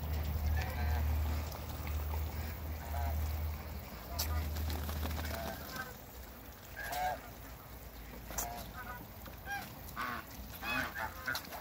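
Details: Toulouse male and African female goose pair in a backyard, loud nasal honks repeated in irregular bursts, some harmonic calls overlapping, with low rumbling background noise.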